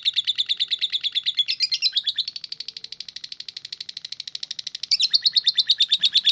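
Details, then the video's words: Lovebird in sustained ngekek song, one long trill: rapid high chatter at about seven to eight notes per second, softening and thinning midway, then swelling louder again near the end without any break. "SUARA BURUNG LOVE BIRD KONSLET FULLL NGEKEKK"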